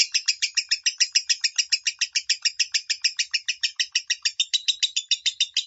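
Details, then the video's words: Minor-tone lovebird song meant for tutoring kept lovebirds: a rapid, even series of shrill chirps repeated about three and a half times per second, unbroken and bright throughout, with no other sounds. "MASTERAN LOVEBIRD SUARA MINOR | LB MINOR"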